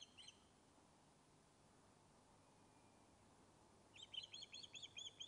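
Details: Osprey on its Loch of Lowes nest in Scotland, back after being reported lost. A lone shrill chirp, a quiet gap, then a rapid burst of about seven high whistled notes while fish-calling.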